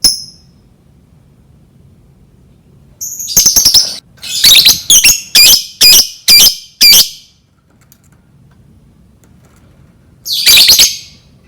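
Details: Lovebird chirping, used to tempt other lovebirds into learning to sing: shrill high squeaky notes in a rapid cluster, then evenly spaced loud chirps about every half second, a pause, and a final harsh burst.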